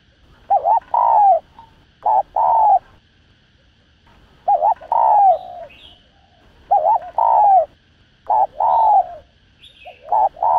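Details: Spotted dove in 'thúc gù' style, coos played to excite decoy birds for trapping: repeated phrases of two or three deep, rounded notes ending in a drawn-out falling coo, with faint high chirps between phrases.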